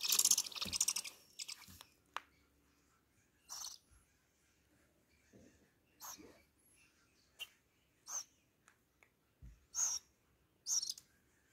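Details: Two owl chicks being hand-fed crickets on the ninth day of hand-rearing, 21 August 2020; harsh, breathy hissing screeches in short bursts, loudest at the start, then repeated roughly every second, with faint handling noises between.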